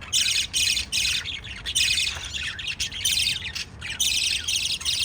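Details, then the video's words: Pet lovebirds feeding chicks produce loud, shrill chirping in blocks, separated by short gaps of roughly a quarter second and repeated throughout five seconds. "LOVE BIRDS CHIRPING sounds"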